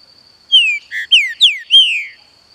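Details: A captive Green-winged saltator (Saltator similis) sings one rich whistled phrase of five quick, mostly down-slurred notes over under two seconds, with a faint steady high whine underneath.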